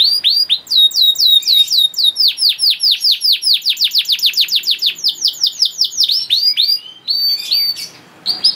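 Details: Canary master song for young birds: long rolling series of rapid descending whistled notes at a steady pace, ending in scattered high chirps.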